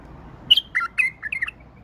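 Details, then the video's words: Tame male bulbul singing: one brief, bubbly phrase of four or five clear whistled notes that rise and fall, over a faint low hum. "بلبل فحل اليف تغريد"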